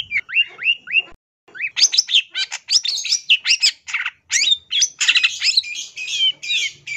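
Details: Song of a long-tailed shrike used to train songbirds: it opens with a few rising whistled notes, pauses, then bursts into a continuous, rapid stream of chattering, buzzy and whistled phrases.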